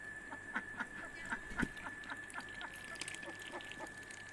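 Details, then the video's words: Domestic ducks returning to their house at day's end give short, rasping quacks in a quick, uneven series, several a second, over a steady high-pitched whine. "Duck sounds"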